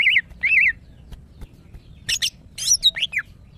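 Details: Female greater green leafbird in breeding condition, calling to attract males. Two loud, wavering whistled notes open the call. After a pause comes a burst of harsh, buzzy and squeaky notes ending in a falling whistle, with a faint background hum.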